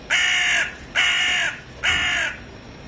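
A gull gives three harsh, flat, squawking calls, each about half a second long, spaced just under a second apart. Nothing else is heard.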